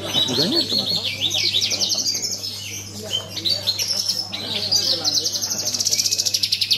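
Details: Javan bush lark singing at a songbird contest: fast high trills and buzzy rattles, with sweeping whistled notes early on and a rapid pulsed trill near the end, over a low hum and crowd voices.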